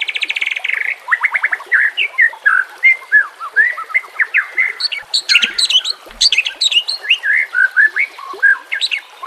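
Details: Song of a white-rumped shama used as a lure and training aid, over a bed of nature sounds and running water: fast opening trill followed by a rich, varied stream of whistles and sharp high notes.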